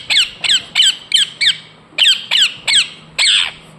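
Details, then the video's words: Indian ringneck parakeet giving a series of loud, harsh, descending screeches, about nine calls spaced roughly every third of a second, the last one longer and noisier. "Parrot Chirping sounds Natural Sound | Ringneck parrot Naturals Sound"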